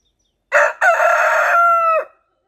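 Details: Rooster crowing on a homestead farm in spring, with chickens dust bathing nearby in nice weather: one loud crow with a short opening note, a brief break, then a long sustained harmonic note ending in a quick downward slide.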